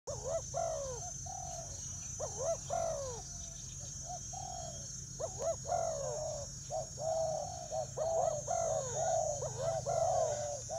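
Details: Spotted doves in Vietnam, recorded 24 July 2019, fighting over food: dense bursts of soft, hollow coos with quick rising-falling notes, overlapping and irregular, about once a second, over a steady high hiss and low hum.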